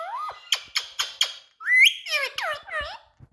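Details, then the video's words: A pet Indian rose-ringed parakeet that loves to talk chatters in speech-like bursts: a rising whistle, four quick harsh clicks, then a run of bright, warbling, voice-like syllables. "Indian Parrot🥀Candy Love to Talk"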